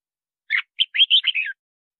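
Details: Singing red-whiskered bulbul, a recording for luring wild birds and training song: one brisk phrase of about six connected warbling notes, rich and whistled, ending on a slightly lower slurred note.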